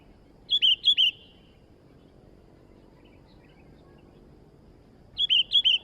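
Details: Sooty-headed bulbul singing vigorously: a short, rapid, bubbling phrase of chirpy whistled notes, then a long pause, then the same phrase again, over steady low hiss.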